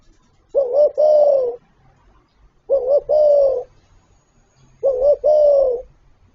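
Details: Three steady spotted dove coo phrases roughly two seconds apart, from a full calling and cooing repertoire: a short doubled note then a long, gently falling hollow coo, with a quiet low hum behind.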